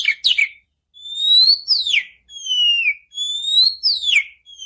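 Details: White-rumped shama song for stimulating another bird to sing, long pure whistles rising then falling, alternating with short sharp notes, repeated in slow sequence.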